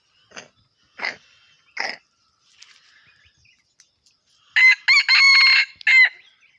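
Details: F1 junglefowl rooster: three short, sharp clucks about a second apart, a brief pause, then a loud four-part crow, with two clipped notes, a long sustained note and a short final note.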